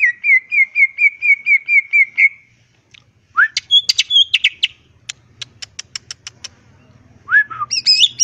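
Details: Greater green leafbird in vigorous song with many fill-ins, crest raised on its perch. An even train of short whistled notes, then a chattering medley, a run of dry ticks, and upslurred whistles.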